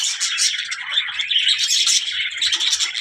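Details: Budgerigars, described as talking, give dense, busy chirping and warbling, a continuous high twittering mix of overlapping voices with no pauses.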